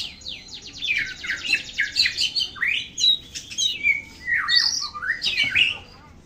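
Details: Vigorous song of an oriental magpie-robin: a rapid buzzy trill opens, followed by bright whistled slurs rising and falling, delivered in close bursts about every half second.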